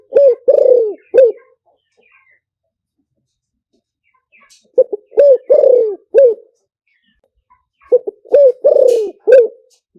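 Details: Spotted dove lure song in the liu tan style, for fast luring. Three repeated phrases of low, mellow coos, each a quick pair of notes, a long vibrating coo and a clipped ending, spaced about three seconds apart.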